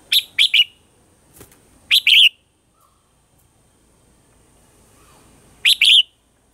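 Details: Red-whiskered bulbul morning song in a mature wild-style voice, used as a lure to train caged birds: three short, bright, warbled two-part phrases, the first a quick triple burst, then two spaced repeats, with quiet gaps between.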